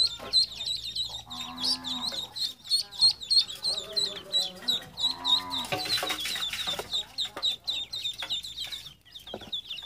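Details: Chirping ducklings give rapid high peeps throughout, mixed with lower, drawn-out harmonic squeaks or voice-like tones and a brief noisy burst near the middle.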